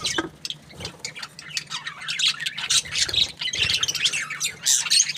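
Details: Happy budgerigar chirping in a fast, dense stream of scratchy squawks, clicks and high twittering notes, uneven in rhythm and continuing without pause, with a faint steady low hum beneath.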